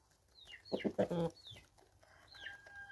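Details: Free-range chickens in South Africa, 2024, give a short burst of throaty clucks. Thin high chirps of other birds and faint background noise come before and after.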